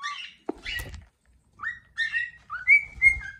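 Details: Domestic male cockatiel singing with lively wing-spread posture: scratchy chirps and a click give way to rising whistles and a bright sustained whistled note, over faint low rumbling handling noise.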